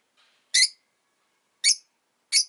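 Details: Rosy-faced lovebird at home, giving three loud, rasping high chirps spaced unevenly over two seconds, preceded by a faint soft twitter.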